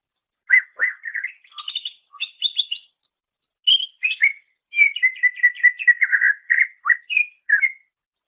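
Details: Greater green leafbird singing on a master recording meant for training songbirds: varied whistled phrases, buzzy chirps and a fast series of repeated downslurred notes, with one short pause midway; no other sounds.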